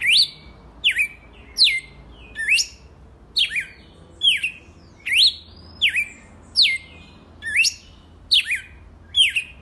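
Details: Red-cowled cardinal described as a genuine wild bird, singing a steady series of loud whistled phrases, each a sharp downward slur into a rising note, repeated about every three quarters of a second, over faint low background hum.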